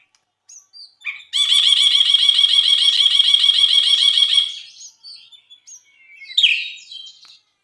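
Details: Bulbul delivering a long, steady buzzy trill of rapidly repeated notes for about three seconds, preceded by soft whistles and followed by a short harsh chattering phrase.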